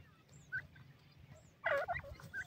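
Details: Grey francolins, known locally as desi teetar, said to be playing: faint scattered squeaky notes, then a sudden loud burst of harsh, chattering, stacked calls in the final second over a low, steady background rumble.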